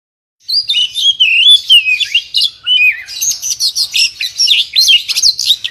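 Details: Oriental magpie-robin, known locally as kacer, singing energetically: a rich run of whistled, warbling phrases sliding between mid and high pitch, then a rapid series of sharp repeated notes in the second half, with a quiet background.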